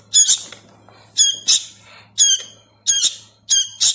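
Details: Young hand-fed sooty-headed bulbul begging: loud, strained rasping squawks, often doubled, spaced roughly a second apart, with a soft steady hum underneath.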